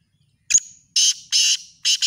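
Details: Black francolin, used as a calling style for chakri (calling) tournaments, gives harsh, grating, high-pitched notes: a short first note, then three longer rasping ones about half a second apart, with no other sounds.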